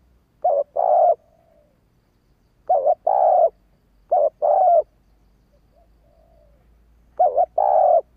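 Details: Urging call (thúc) of a female spotted dove, used to spur males to respond fast: four low double coos, a brief quavering syllable followed by a sustained even note, with a faint softer coo between phrases.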